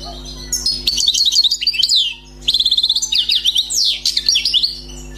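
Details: Wild-caught European goldfinch singing: rapid twittering phrases of buzzy notes and liquid trills, two bursts separated by a short pause, with a steady low electrical hum underneath.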